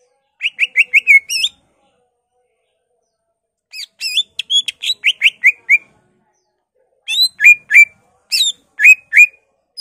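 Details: Energetic greater green leafbird pouring out a song full of borrowed phrases from magpie-robin, laughingthrush, cililin, white-eye and canary: three quick bursts of rapid whistled, wavering and chattering notes separated by brief silences.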